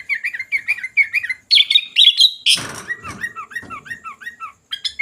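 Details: Vigorous sooty-headed bulbul song: rapid repeated wavering whistles, a brighter higher flourish, a brief loud burst of noise, then further rolling whistled notes.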